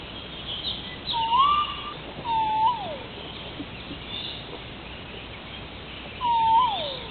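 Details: Hawaiian crow (Corvus hawaiiensis), a species extinct in the wild, giving three drawn-out, mellow mid-pitched calls a second or several apart, the later ones sliding downward at the end, over a soft hiss.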